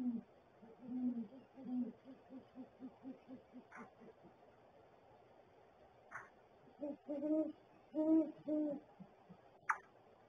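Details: A male and a female great horned owl at their nest barrel at 7:19 AM on 13 January 2022 hoot back and forth. The male adds gular sounds and the female hoots higher, with soft rapid hoots, then louder ones and faint clicks.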